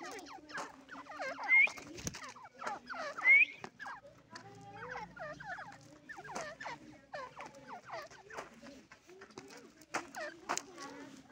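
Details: Irani teetar francolin calling continuously, fast jerky chattering notes with two bright rising squeaks early and scattered louder clicks throughout.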